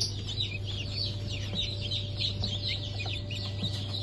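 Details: Sharp, high, descending peeps from many newly hatched Blue Brahma chicks, hatched 22 June 2024, come in quick overlapping bursts, with a constant low electrical hum beneath.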